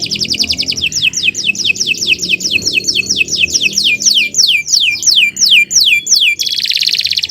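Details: Canary singing as a model for other birds to learn: a long sequence of loud, rapidly repeated sweeping whistled notes, about two to three per second, finishing with a dense buzzy trill; faint low background hum.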